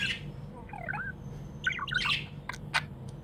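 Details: Happy pet budgies: a harsh squawk opening, wavering warbled chirps, then a busy scratchy chatter with sharp clicks, over constant low hum.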